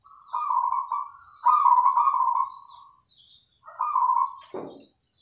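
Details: Zebra dove song used to stimulate other doves to sing: long rolling, purring trills in three phrases, with a steady high electronic tone throughout and a short knock near the end.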